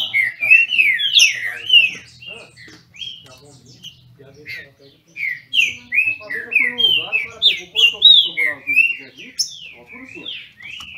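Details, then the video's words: Brazilian thrush (trinca-ferro) from a registered Brazilian breeder, disputing in song: bursts of fast whistled phrases, a quieter stretch in the middle, then a long series of loud slurred notes with a faint low hum behind. "Trinca ferro disputando!!!"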